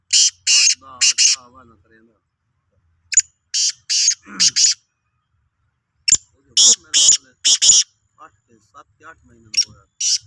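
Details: Sindhi black francolin repeating its harsh, scratchy call in three or four clipped phrases of buzzy bursts, with low human speech murmuring between the phrases.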